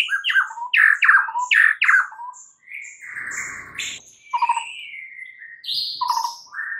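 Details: White-rumped shama singing in the morning, a captive bird prompted to sing: repeated loud descending chattering notes, then long smooth whistles and sliding tones at varied pitches.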